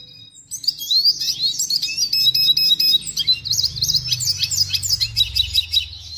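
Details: Red siskin song, a hurried stream of bright twittering notes, quick trills and scratchy chips, sung steadily over a faint low rumble.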